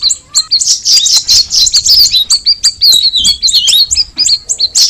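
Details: Straw-headed bulbul (cucak rawis) pouring out a rich jumble of bright chirps and wavering whistled notes, very rapid and high, with a short gap near the start.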